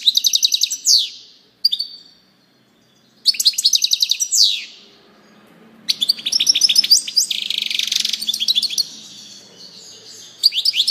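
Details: European goldfinch delivering repeated loud bursts of rapid, metallic twittering. Each burst ends in descending buzzy notes, with short pauses between phrases and one longer, dense jingling passage.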